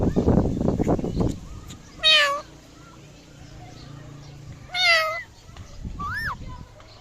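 Indian ringneck parrot giving three nasal, harmonic, meow-like calls about two seconds apart, the last one rising then falling, after low mumbled voice-like chatter.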